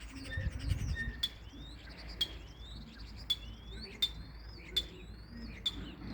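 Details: Common starling calling: sharp clicks spaced about once a second, each with thin rising and falling whistled slurs between them, over faint background rumble.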